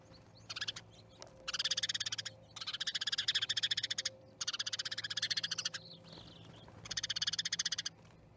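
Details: Starling flock at an osprey nest in Charlo, Montana, recorded 10/07/2019: loud buzzy rattles made of fast even pulses, coming in four long bursts with short silent gaps, above a faint low hum.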